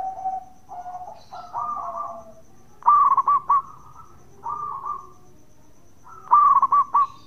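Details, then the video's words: Zebra dove of local stock performing the bekur call used to get other doves to reply; soft cooing lead-in, then two clear phrases of rapid trilled notes followed by smooth low coos. "Perkutut Lokal Gacor Suara bekur super Ampuh bikin Nyaut bunyi"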